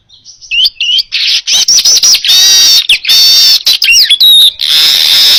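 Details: Baya weaver song, a clear recording used to train other songbirds: loud, dense buzzy bursts with harsh wheezy stretches and quick slurred whistles, broken by brief gaps and ending in a long sizzling buzz.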